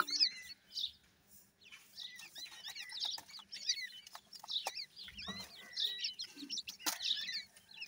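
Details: Many grey francolin chicks peeping together: high, curved, whistled cheeps in quick overlapping bursts, with brief louder knocks and a soft low murmur near the middle.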